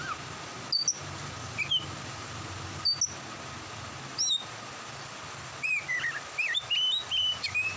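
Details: Oriental magpie-robin, singing more during rain, gives scattered short whistled notes with pauses, then a faster burst of varied slurred whistles near the end, over constant hiss.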